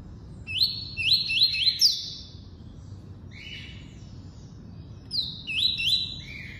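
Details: Double-collared seedeater in tuí-tuí song, a fast run of four rising whistled notes stepping upward, a pause with softer lower whistles, then another quick burst of upward sweeps ending on a lower tone.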